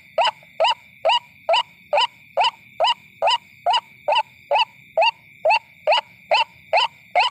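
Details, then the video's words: White-breasted waterhen lure call for attracting ruak-ruak at night; a steady train of loud, raspy single notes, just over two per second, accompanied by a constant thin high tone. "WATERHEN SOUND / DAK FAKHIR DAK / SUARA RUAK-RUAK/ TIKLING BIRD SOUND"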